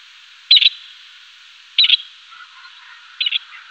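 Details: Grey partridge uttering three short, scratchy, rasping bursts roughly every one and a half seconds over a faint steady hiss.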